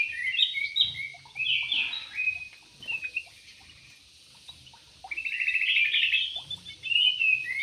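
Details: Javan pied starling (jalak uret or suren), a bird described as good at dancing, giving bursts of harsh, chattering high notes in two long phrases separated by a quiet gap near three seconds, with faint low rumble beneath.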